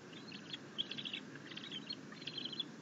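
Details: Happy bald eagle eaglet receiving a fish from its mother, recorded 6.9.21: dense bursts of fast, high twittering notes in three or four quick clusters, with a low continuous rumble beneath.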